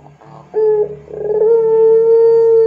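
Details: Energetic puter pelung dove used as a lure for training: a soft murmur, a short clear note, then a gurgled build-up into a long, steady, hollow coo sustained to the end.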